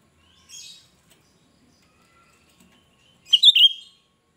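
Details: Cucak rante singing shrilly, a sound used for luring other cucak rante: a soft thin high note, then after a pause one loud, piercing, trilled burst rising and falling quickly.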